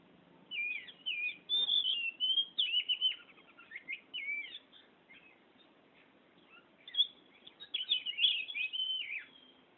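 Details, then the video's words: Oriental magpie-robin singing in a continuous rolling style: fast, varied run of whistled, twittering and scratchy phrases in quick succession, with two bursts of song separated by a short quieter pause. "Burung Kacer Ngerol Gacor"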